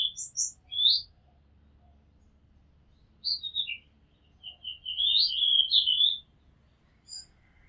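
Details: Oriental magpie-robin singing near a house rooftop: scattered high chirps and a short descending trill, a pause, then a long wavering whistled phrase, over steady low background hum.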